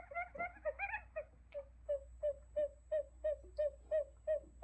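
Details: Decoy recording for catching buttonquail: opens with overlapping chattery notes, then a steady train of short, hollow hoots roughly three per second, evenly paced, over a background hum.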